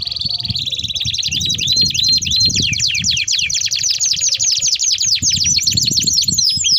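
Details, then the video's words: Canary in energetic full song, a long rolling song meant as a lure and as a tutor model for young canaries; fast high trills of repeated downward-sweeping notes, tempo shifting, with low rumbling background noise. "Kenari Gacor Ngerol Panjang Untuk Pancingan || Cocok Untuk Masteran Kenari Paud"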